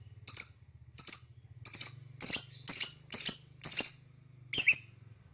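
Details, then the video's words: Lovebird chirping: eight shrill, scratchy chirps spaced about every half second to second, steady and evenly loud, over a low mechanical hum. "Lovebird Singing and Chirping"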